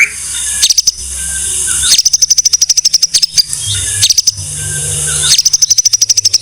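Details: White-rumped shama on a tutor recording for songbirds: bursts of rapid, evenly spaced high ticking notes, three runs separated by short pauses, over a steady hiss.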